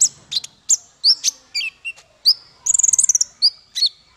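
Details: Male konin singing as a tutor song for songbirds: varied high chirps and slurred whistles, then a fast trill of rapid ticks near the middle before more sliding whistles.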